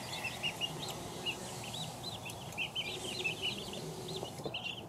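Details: Two-week-old chicks peeping together, a dense flock of short high arched peeps overlapping continuously, some louder chirps standing out, over a low background hum.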